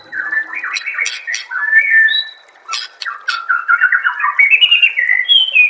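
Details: White-rumped shama master song to get other shamas singing: fast warbled and whistled phrases with sharp clicks, continuous and varied, ending in rising whistles.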